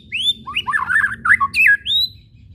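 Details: White-rumped shama whistles and chattering played to stir shamas to sing: an upswept whistle, then a tangle of quick varied chattering notes, closing with a clear rising whistle.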